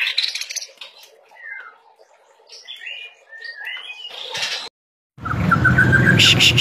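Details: White-rumped shama singing vigorously: a string of clear, slurred whistled notes, some rising and some falling, then a short silence and a burst of broad rasping noise carrying a fast, rapid trill.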